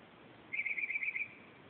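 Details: Northern mockingbird at 2:30 am at night delivering a quick trill of about seven rapid, even notes lasting under a second, with faint background hiss.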